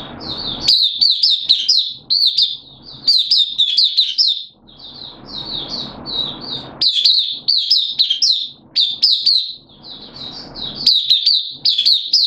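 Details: Caged hobby oriental white-eye singing openly on 8 September 2022, form dipped a little: long sequence of rapid, high, twittering downslurred notes in phrases of several seconds, separated by brief gaps with faint room noise.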